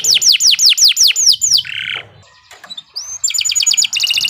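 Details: Canary song meant as a long, continuous master song for training young contest birds: a run of about nine fast descending whistled sweeps, a short buzzy trill, a brief pause, a rising note, then rapid pulsed high trills.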